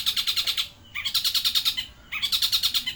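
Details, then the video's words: A long-tailed shrike sings with mimicry of a tengkek buto, giving quick trilled rattles of sharp high notes in three bursts, each under a second, separated by short gaps. "cendet pilis nembak tengkek buto"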